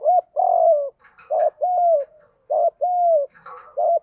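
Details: Spotted dove giving the 'gù đấu' fighting coo, a decoy voice used to provoke and lure wild doves; steady low mellow coos in pairs, a short bent note then a longer arched one, repeating about every second.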